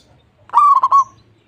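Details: One clear, short local zebra dove phrase: a rapid string of three or four bubbling low coos that runs together into a brief trill, over quiet background.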